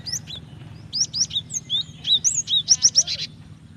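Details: Calling female cinereous tit used to stir a male to sing: a busy stretch of high slurred whistles and chirps, rising and falling, closing with three bright evenly spaced notes and a buzzy tail.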